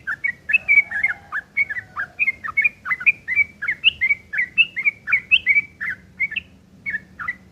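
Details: Yellow-vented bulbul delivering loud rough ngeriwik kasar chatter, recorded as tutor song for long-tailed shrikes: a steady string of short buzzy chirps, about three per second, each similar, continuing without a break.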